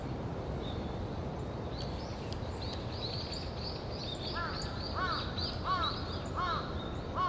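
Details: Male yellow-throated bunting giving quick, thin high chirps, a few each second. Four lower, harsher calls join near the end over a steady low rumble.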